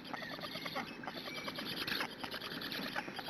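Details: Nestling black storks begging on their nest in Hungary, recorded by a nest webcam early on a June morning. They give a quick, busy run of squeaky, chattering notes with a thin whistled tone in places.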